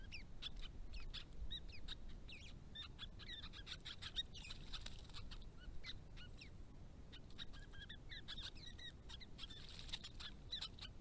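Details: Restless, noisy White-browed babblers visiting a protected pond amid native grasses, giving a near-continuous querulous chatter of short, squeaky, inflected notes, some rising and some falling, throughout.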